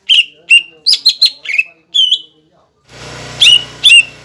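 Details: Pancingan song of a gacor cucak ijo, meant to provoke young birds to sing: a string of bright falling whistles and quick chirps, then a brief gap before two more sharp notes over a rising background hiss.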